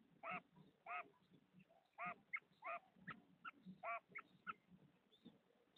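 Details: Female common quail (batair) calling: a series of loud, nasal, harmonic notes, roughly two a second at an uneven pace, with a few shorter clipped notes between them and a low background hum.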